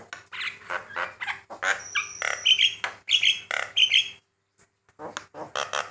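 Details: Male white-eyed Javan myna singing varied phrases to stir other mynas into responding: harsh chattering notes interspersed with clear high whistled slurs repeated several times, then a short silence and more rasps.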